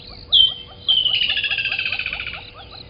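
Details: Woodland kingfisher singing in the morning, 05:29 on 18 December 2020, picked up by a live waterhole camera at Gowrie dam, Djuma Game Reserve, Sabi Sand, South Africa: one sharp high note, then a long rapid trill slowly falling in pitch.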